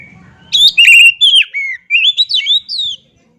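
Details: Oriental magpie-robin (kacer) singing a loud, varied phrase of clear whistled notes, some sliding up and others down, with a few sharp chips, lasting about two and a half seconds before silence.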